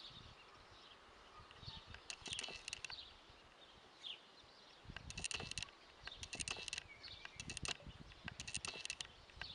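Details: Guineafowl calling in loud grating rattles, each burst a dense run of clicks lasting under a second, coming in groups with brief pauses, with some soft thuds and faint chirps behind.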